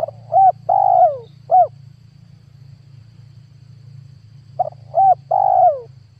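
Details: Two coo phrases from a spotted dove used as a 2022 lure for catching wild doves. Each phrase has a short clipped note, a rising coo, a long sliding-down coo and a short closing coo. The phrases are separated by about three seconds of low hum.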